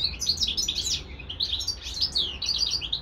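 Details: A pet European goldfinch and a serin × canary hybrid give a rapid, tinkling twitter of bright liquid notes and short trills, running almost without pause, high-pitched over a faint low hum.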